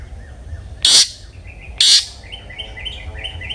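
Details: Long-tailed shrike (cendet) singing in the open "ngeplong" style, used as a lure to get other shrikes singing; two loud, harsh, rasping bursts about a second apart, with faint chirps behind and a low background hum.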